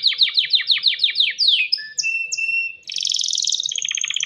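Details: ['Breeding male canary singing to attract a mate: quick falling notes about six per second, long level whistles at two pitches, then dense rapid trills.']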